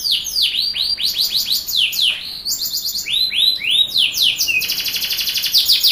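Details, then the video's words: Song for coaching young canaries into singing: continuous high, varied phrases of swooping whistled notes and rolled slurs, ending in a rapid rattling trill, loud and unbroken throughout. "PANCINGAN KENARI muda AGAR cepat bunyi gacor"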